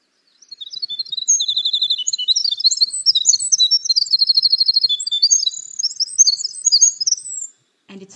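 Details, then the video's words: A Winter Wren, usually present in winter, pours out a long, high, tumbling song of rapid trills, buzzes and tinkling bell-like notes, running unbroken for about seven seconds; a brief low sound follows. "No w, wi nt er wr en s, wh ic h we us ua ll y ge t in th e wi nt er , he nc e th ei r na me to o, ha ve a re al ly be au ti fu l so ng as we ll ."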